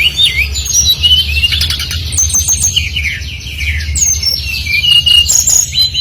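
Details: Brown-chested jungle flycatcher singing energetically as a lure for other birds: a continuous rapid stream of high chirps, trills and twisting whistled notes with barely a pause, over a faint low drone.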